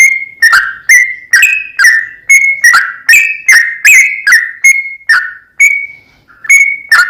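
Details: Sooty-headed bulbul giving 'trucukan' lure song to stir another bird: evenly spaced whistled notes with hard clicks at their starts, mostly level or falling slightly, steady for five seconds before a short break and two final notes.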